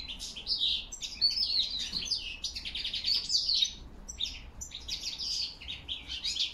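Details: Autumn singing of a European goldfinch, October 2021, alongside whistled crested lark calls: bright, fast, jangling twitter phrases with short pauses, lively and high, in quiet surroundings.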